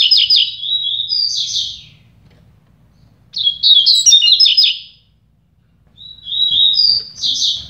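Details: Double-collared seedeater song contest between two birds: three loud phrases of quick, high chirps and warbled whistles, each about one to two seconds long, separated by short pauses, over a faint low hum.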